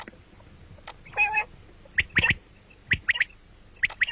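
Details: Common quail calling, morning and night: one nasal buzzy note, then crisp triple-note phrases spaced about a second apart.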